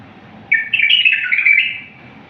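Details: Clean wild-style bulbul song for training other bulbuls: a loud burst of liquid whistled notes, stepping down in pitch then lifting at the end, about one and a half seconds long, with only a low hum behind it.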